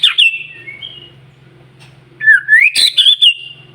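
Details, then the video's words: White-rumped shama singing to provoke rival shamas: a couple of quick high notes, a pause with a faint low hum behind, then a rising whistle that breaks into a burst of sharp, bright phrases. "murai batu gacor SIANG MALAM GACOR TERUS, Cocok Untuk Memancing Emosi Burung Murai NGELOWO"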